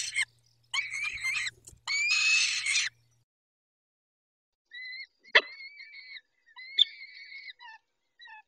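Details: Peregrine falcon nest scene, 23 May 2021 at 19:40, with the male tending the females; harsh, grating broadband calls give way to thinner, shorter whining notes with a sharp click among them.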